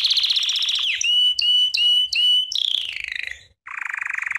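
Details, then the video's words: Training song of a Belgian canary: a fast pulsed trill slides down into four steady whistled notes, then a falling rattled phrase, a brief pause, and a new rough rapid trill. "CANTO CANÁRIO BELGA"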